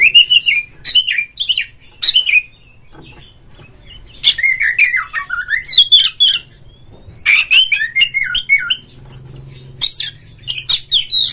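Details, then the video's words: Oriental magpie-robin kept in a cage in Indonesia, singing ngeplong to draw song from other magpie-robins; repeated phrases of sharp whistles mixed with scratchy, buzzy notes, coming in bursts with brief pauses. "suara panggilan Kacer NGEPLONG nge-play Ngobra GACOR bikin semua JENIS BURUNG KACER ikut GACOR"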